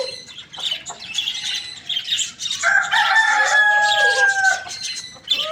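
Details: Rooster crowing in the morning amid busy chirping and clucking, the crow rising into a long steady harmonic note that sags slightly before fading, with other birds calling throughout.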